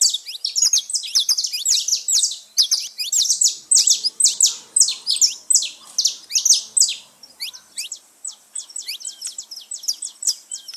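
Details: Flock of saffron finches singing freely in the wild: dense, shrill chirping from several birds, loudest in the first seven seconds, then lighter, spaced notes toward the end.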